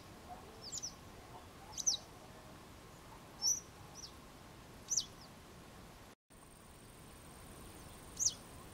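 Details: Western yellow wagtail uttering sharp, high, descending single calls at uneven intervals, five in under nine seconds, over faint hum and a short gap in the recording.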